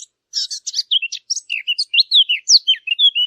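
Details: A quick, busy stream of high bird chirps, with short slurred notes dipping and rising in pitch and following one another almost without pause.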